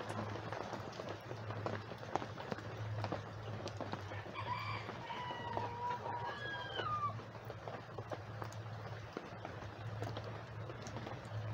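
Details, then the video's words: Backyard rooster crowing during a light rain while free-ranging chickens forage for worms: a single long, strained crow with a rising then sliding end, set against constant dripping rain and a low background drone. "Chickens And Rain Sounds | Rooster Crowing"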